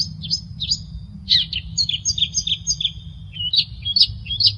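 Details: Long-tailed shrike singing for a songbird training recording: a lively, jumbled stream of high chirps and short whistled notes, some doubled, repeated roughly twice a second, with a soft low rumble underneath.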